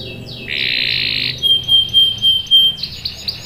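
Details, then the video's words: Canary song used to prompt other canaries to answer: a long buzzy trill held about a second, then a pure whistled note with rapid pulsed accents, ending in quick chirping notes. "PANCINGAN KENARI GACOR bikin NYAUT ikut BUNYI NGEROL | CUIT CUIT | CANARY SINGING"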